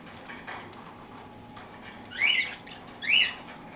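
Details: Parakeets at their toast: after a quiet stretch, two loud, rasping chirps come nearly a second apart.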